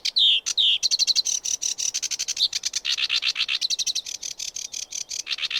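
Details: Energetic sedge warbler song opening with two loud whistled slurs, then a continuous, dense chatter of rapid grating notes and buzzes.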